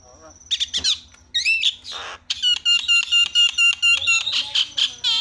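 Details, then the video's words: Starling calls played as a lure to make quiet starlings sing: a burst of shrill squeaks and harsh notes, then a fast run of bright, buzzy, repeated notes, roughly two per second, in a small room. "SEKALI PENCET JALAK LANGSUNG PADA CEREWET"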